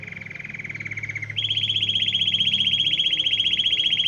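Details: Canary singing, attracting dozens of canaries, goldfinches and other wild birds; a low buzzy rolling trill jumps abruptly to a higher, louder, very fast even roll that continues steadily.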